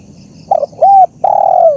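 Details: Spotted dove master recording for training and luring birds: one brief phrase of two short hollow coos leading into a long level coo that fades slightly at the end.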